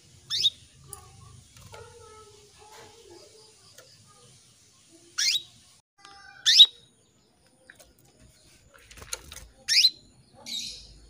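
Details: Female canary calling to a male: five short, sharp chirps that sweep steeply upward, spaced irregularly over about eleven seconds, with faint steady tones and quiet pauses between them.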